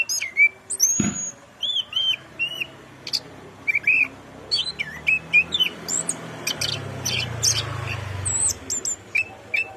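Orange-headed thrush singing a varied run of high whistles, slurred notes and sharp chirps in quick bursts, with faint low rumbling underneath.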